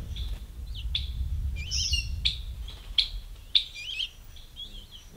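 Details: Ruby-throated hummingbirds battling at feeders: sharp high chips at uneven intervals, about every half second to second, interleaved with squeaky twittering chatter runs; faint low background rumble.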